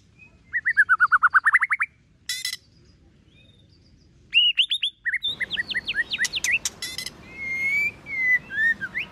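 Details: A white-rumped shama in competition singing with many voices delivers a rapid series of rising whistled notes, a short harsh burst, then quick twittering whistles and longer warbling glides. A noise hiss sets in after an abrupt cut.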